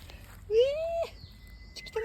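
A Japanese bush warbler gives a long, pure whistle that swells and slowly rises, the drawn-out opening of its song; a second note starts as the clip ends.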